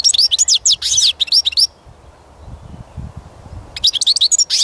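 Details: European goldfinch song: a long chattering run of high twitters and slurred notes, a two-second break with faint low thumps, then another burst of rapid tinkling phrases.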